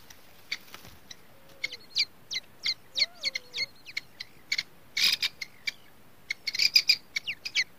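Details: Grey francolin (teetar) chicks on their first day give a rapid series of high, thin, downslurred peeps, irregular and sometimes bunched together. A few low, soft wavering tones sound faintly underneath.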